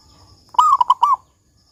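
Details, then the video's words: Local zebra dove, lively and big-voiced in the 'kung' style, recorded as a lure to make doves sing: one loud phrase, a gliding coo, two clipped notes and a closing swelling coo, then silence. "Perkutut Lokal GACOR Suara Kung Besar Pancingan Burung Perkutut Agar Bunyi"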